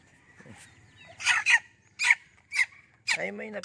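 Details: Serama chickens, a flock with freshly hatched young in the yard, give short, loud, harsh bursts, about five in quick succession, ending in a lower drawn-out tonal note. Faint background noise throughout.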